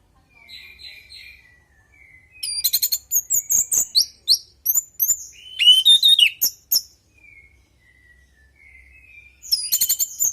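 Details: Orange-headed thrush lure song for prompting kept birds to reply. Soft opening whistles lead into dense bursts of sharp, high, varied chirps and trills. A quieter falling whistle and another burst of high notes follow.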